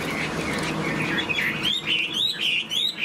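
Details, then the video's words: Caged hwamei displaying with spread tail and flicking wings. A broad rumbling noise covers the first half, then clear rising whistled loops emerge one after another, about three per second. "Họa mi đuôi xòe chơi cánh, bóng bộ cực đẹp, hót vẩy đuôi khướu"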